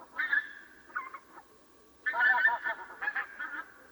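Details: Predawn swans trade overlapping nasal honks: a strong call, a shorter reply, then a dense, sustained burst of several birds honking together for about a second before further clipped calls.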